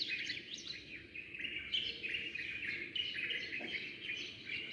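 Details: Sparrows chirping at dawn as daybreak comes: a soft, continuous chorus of overlapping twittering chirps from several birds, with occasional brighter single notes above a faint low background noise.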